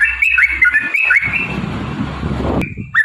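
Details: Yellow-vented bulbul song used to provoke other bulbuls into singing: a string of clear whistled, swooping notes at the start, then a wash of broad rustling noise, and a final short whistle and upslurred note.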